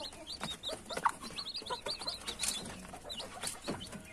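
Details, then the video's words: A brood of young chicks peeping: many high, thin cheeps overlap, several each second, over a low background of rustling and faint murmur. "SUARA ANAK AYAM"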